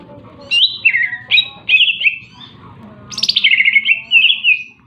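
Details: Lively greater green leafbird song: slurred descending whistles linked into a varied run, then a bold, harsh high burst sliding down into fast rattling trills. Faint low murmur underneath.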